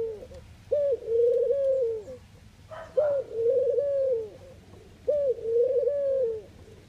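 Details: Netherlands Eurasian collared dove giving three repeated coo phrases: a short abrupt note, then a long low trembling coo, spaced around two seconds apart, with a faint brief chirp from another bird between the first two phrases.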